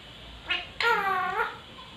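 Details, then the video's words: Indian talking parrot kept as a pet, indoors, mimicking the Hindi film song "Tujhko Na Dekhu To": a brief hummed note, then a longer, harmonic-rich tonal phrase that wavers and gently rises and falls before fading; quiet room hiss beneath. "TUJHKO NA DEKHU TO.....PARROT SINGING"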